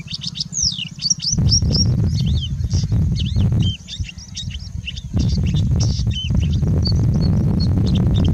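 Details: Singing bushlark in India giving a continuous song full of mimicry of other birds: rapid thin, high twittering and slurred notes, over loud low rumbling wind noise that drops away briefly midway.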